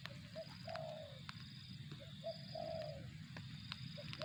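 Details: 'Target zong' style spotted dove: short soft notes, then a longer coo that glides down, given twice with a pause between, against low rumbling noise, a thin high tone and a few faint ticks.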